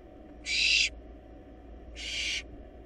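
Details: Two loud, breathy screeching hisses from wild barn owl nestlings devouring a large rabbit inside a monitored nest box, each under half a second, with low steady hum beneath.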